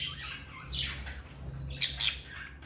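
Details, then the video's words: African lovebirds give shrill, scratchy chirps and squeaks in quick uneven bursts, loudest near the end, over a steady low hum. "Love birds singing and chirping sounds| African love birds chirping sound"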